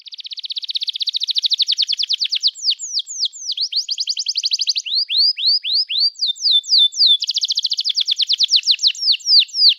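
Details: Canary singing energetically to encourage young birds to learn to sing. Long rapid trills alternate with runs of slower downslurred whistles in a continuous, rolling pattern.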